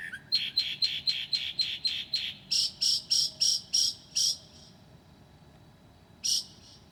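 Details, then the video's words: Northern mockingbird singing at 2 a.m., 9 July 2008, mimicking other species: a quick series of seven clipped notes, then six louder harsher repeated notes, silence, and one final note. "Mocking bird at 2:00 A.M."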